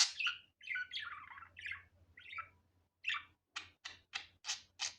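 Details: Budgerigar calling naturally in an unedited recording: a few warbled, squeaky phrases, then five sharp, clipped chirps at roughly half-second intervals, over a steady low electrical hum.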